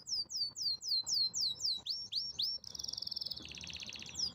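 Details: Powerful canary song: a string of clear, swooping whistled notes repeated about four per second, followed by a dense, very high buzzing trill that steps down into a lower rattling roll.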